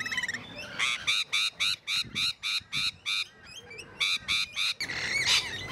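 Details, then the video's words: Rainbow lorikeets in a zoo at Paradise Country: loud, harsh, grating screeches repeated rapidly, about three to four per second in a choppy run, followed by a burst of overlapping shrill chatter. "PARROTS Rainbow Lorikeets"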